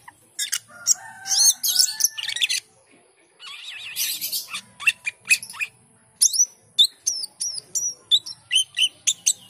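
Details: Asian pied starling in full, lively song: bursts of harsh, buzzy and squeaky high notes, a pause, then a run of sharp, clipped whistles repeated roughly every half second.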